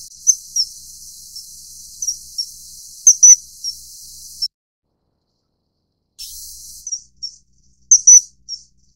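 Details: Common kingfisher (Alcedo atthis) during mating, giving shrill, piercing whistled notes, singly or in quick pairs, at irregular intervals over a steady high hiss, with a short silent gap midway.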